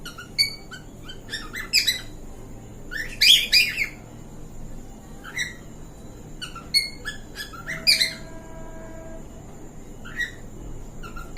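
A cockatiel gives bright, harmonic chirps and whistled notes in short irregular bursts, a courtship call.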